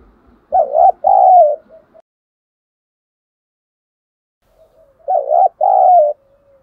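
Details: A decoy spotted dove in 'giọng thổ' voice calls to lure wild doves. Two deep, two-note cooing phrases about four seconds apart, each ending in a drawn-out, gently falling coo.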